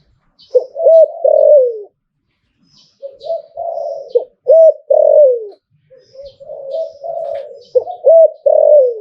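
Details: ['Zebra dove giving repeated liu tan style phrases, each of wavering coos ending in a hooked coo and long falling coo, three phrases in a row.']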